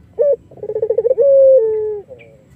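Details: Collared dove of the Iraqi variety, a melodious song used as a lure for other doves: a short clear note, a quick rolling trill of beats, then a long drawn-out whistle-like coo sliding gently downward.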